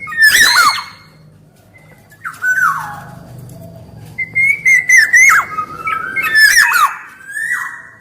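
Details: Kepodang emas, the black-naped oriole, in full vigorous song for tutoring other orioles: rasping bursts alternating with mellow whistled phrases that rise and drop, given in groups separated by short pauses.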